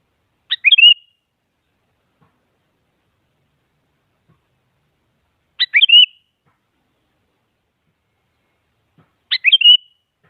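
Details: Sooty-headed bulbul calling out a rival to make a quiet bird sing: three brief phrases roughly every four and a half seconds, a rasping start sliding into a short bubbling whistle, clean background.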